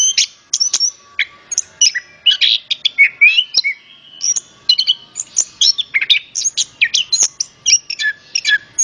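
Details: Orange-headed thrush song used as a lure to prompt other birds to sing: a loud, rapid, varied run of high whistled and chirping phrases with buzzy notes, delivered almost continuously with brief gaps, clean background.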